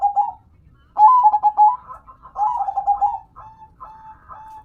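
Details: Local zebra dove (perkutut lokal), a hobby bird, cooing actively: a short coo, then stuttering trilled coo phrases with rapid pulsed notes, the last phrases softer and more drawn-out, against a quiet background.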